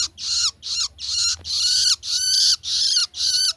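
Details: Young long-tailed shrike calling with rough, hissing, high-pitched bursts, seven in a row at an uneven pace of about two per second, some notes longer and slightly whistled, over faint low hum.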